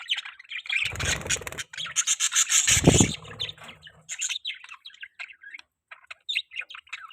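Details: Budgerigar chirps and chatter, loud and dense in the first half with low thumping and fluttering noise, then trailing off into softer scattered tweets.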